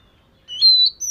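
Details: Brief Oriental magpie-robin song fragment during daily singing practice: one long, clear, level whistle that lifts slightly, followed by a sharp high upslurred note.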